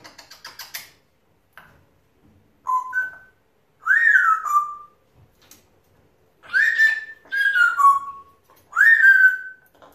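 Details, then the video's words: Pet male African grey parrot chattering alone: rapid ticking clicks open, then a series of clear whistles, some two-note and some swooping down, repeated at uneven intervals with silences. "having a chatter to himself"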